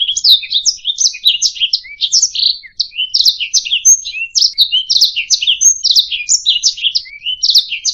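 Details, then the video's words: Singing canary, recorded as a tutor for other songbirds, delivering a steady torrent of high chirps and buzzy trills, with brief pure whistled notes, continuous throughout, with no other sounds. "Ocehan Burung Kenari"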